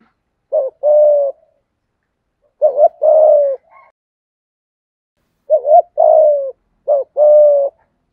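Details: Spotted dove in the 'giọng hạp bổi' style, part of a full calling, urging and cooing sequence meant to stimulate other doves: two low cooing phrases, each a short hiccup note then a longer level coo, with quiet gaps between.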